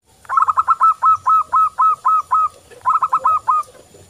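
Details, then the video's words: Local zebra dove singing loudly as a daily training lure for other doves: a fast run of about ten short, rounded cooing notes at an even clip, then a brief pause and a quicker burst of four notes. "Perkutut lokal gacor cocok untuk latihan setiap hari"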